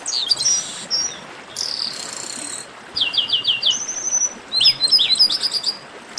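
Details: Chestnut-capped blackbird 'baderna', recorded to warm up other singing birds. Thin high whistles and harsh buzzy bursts give way to a neat run of five falling chirps, a flat whistle, and a final jumble of bright notes.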